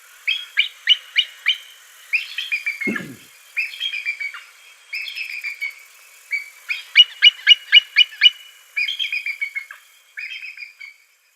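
A Bald Eagle gives thin, high chittering notes in quick bursts of four to six, with squeakier piping phrases in between. There is one soft low thump.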